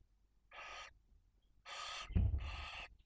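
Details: Hoarse, breathy screeches of a barn owl at a nest in Cabañeros National Park, Spain, during prey delivery to the female and two chicks one and four days old; three rasping hisses, the last pair joined by a low bump.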